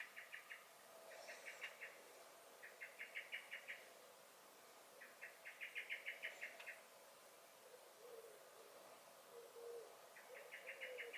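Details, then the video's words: A common blackbird (Turdus merula) in a garden on 23 May 2021 repeats insistent alarm calls: five or six bursts of rapid, dry chink notes in steady succession, with short quiet gaps between. "Song and Alarm Calls of the Blackbird"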